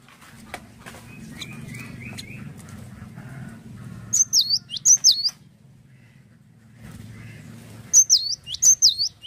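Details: Singing cinereous tit, lively and active: after a low background rumble, two separate bursts of bright, high sweeping note-pairs, each burst repeated three or four times.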